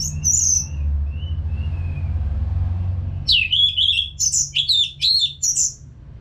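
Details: Orange-headed thrush, Geokichla citrina, from North Bali singing nonstop as training for caged birds. Soft thin whistles at first, then loud, rapid, bright warbled phrases rising and falling, over a low rumbling background.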